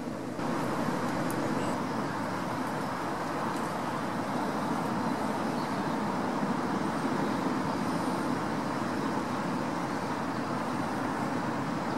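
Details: Steady road traffic rumble with a low engine hum throughout, and no animal calls stand out.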